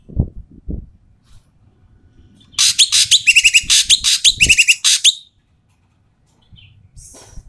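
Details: Loud, harsh calling from an Asian pied starling, meant to coax lazy starlings into song: a few soft thumps, then a dense burst of rasping, chattering notes with squeaky whistles, and a brief faint rasp afterward.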